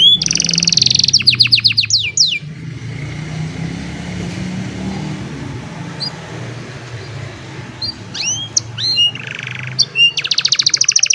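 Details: Old canary on a sunny morning, cellphone recording: bursts of rapid high trills and swooping whistles open the song, a quieter stretch with low background hum follows, then scattered slurred notes lead back into fast trilling.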